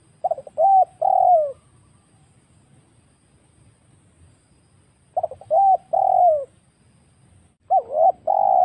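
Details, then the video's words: Lure recording of a wild spotted dove for bird trapping: three repeats of a cooing phrase, short stuttered notes leading into long steady coos, with gaps of about three seconds and soft low hum underneath. "suara pikat burung tekukur Liar"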